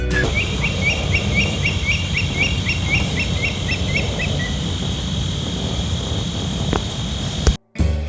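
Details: Indian stone-curlew (Indian thick-knee), a bird of dry stony areas that is vocal after dark, gives a fast series of about a dozen shrill, high notes over two and a half seconds, trailing off, over steady low rumbling noise.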